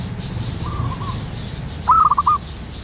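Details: ['A zebra dove in the wild in the morning gives one rippling pulsed coo phrase after a faint distant one, over low background rumble.']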